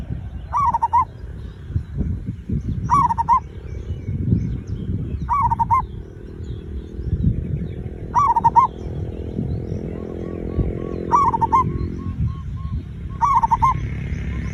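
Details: Zebra dove song played as a lure to get other birds singing fast: six short cooing phrases, each a rapid stuttered burst, repeated about every two seconds over loud low rumbling noise.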